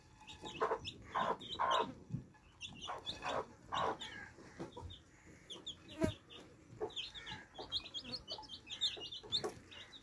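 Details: Baby chicks at fresh water, thirsty and drinking, with loud broadband pecking taps repeating through the recording beneath lighter high peeps that thicken toward the end.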